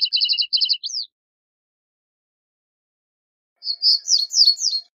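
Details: Common reed bunting (Emberiza schoeniclus) song: a short, jerky phrase of repeated chirping notes ending in a quick flourish, then a second buzzier phrase after a pause.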